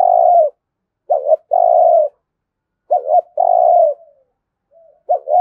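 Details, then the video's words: Repeated competition cooing from a spotted dove with a thổ voice in Đồng Nai, Vietnam: loud phrases of a short double note and a long level coo, roughly every two seconds, with brief soft notes between. "cu gáy thúc gù kinh thiên động địa vang cả xóm Đồng Nai, cu gáy gù đấu"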